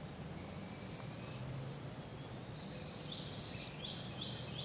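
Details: Barred owl fledglings in a local park in Polk County, Iowa, on July 6, 2017, being fed by parents and learning to hunt. Two drawn-out, high, hissing screeches about a second each, then a few short lower notes, over low background rumble.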